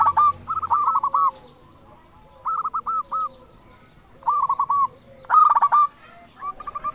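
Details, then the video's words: Loud local zebra dove singing, a recording meant to stir other zebra doves into song: four bursts of quick, throaty coos, each a cluster of three to six rapid notes separated by pauses of about a second. "Perkutut lokal gacor suara besar cocok untuk pancingan burung perkutut supaya bunyi"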